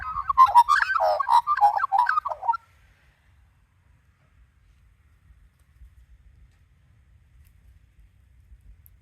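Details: An Australian magpie pours out a rich, fluting, warbling song for about two and a half seconds, then falls quiet, as curl grubs are offered by hand to a female magpie.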